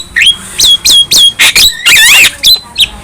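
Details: Young Javan myna in lively song, bobbing its head: short whistled notes with a sharp upward flick repeated about twice a second, a rasping squawk, and a wavering buzzy trill.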